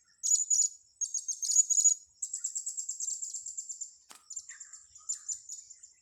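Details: Blue-crowned hanging parrot calling during a lure-trapping session on grass: bursts of thin, very high, shrill chirps in rapid trills, a short pause, then a longer run of buzzy ticking notes and scattered faint squeaks; a steady insect-like pulsing hum continues behind.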